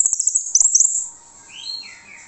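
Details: Orange-headed thrush song used as a lure to draw answers from other birds: a rapid burst of high chirps and sharp notes, then a short pause and a few slurred, rising and falling whistles.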